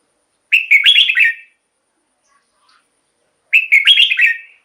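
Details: Red-whiskered bulbul song, played as a decoy or to excite other birds. Two matching loud, bubbling, warbled phrases, each about a second long, come three seconds apart with silence between them.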